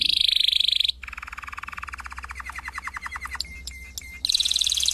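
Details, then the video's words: Canary song: a bright high trill, then a softer rolling series of rising notes that quickens, a few clipped whistles, and a return to the high rapid trill. "Chant Canari CD 2016- اسطوانة تغريد كناري جاهزكاملة"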